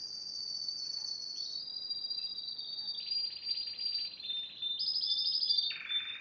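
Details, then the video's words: Spanish timbrado, yellow bird from 2011, delivering continuous song: long high trills that shift down in steps, a rougher mid-pitched roll, a return to a high trill, then a closing lower buzzy phrase. "2011 SPANISH TIMBRADO GREAT SINGER"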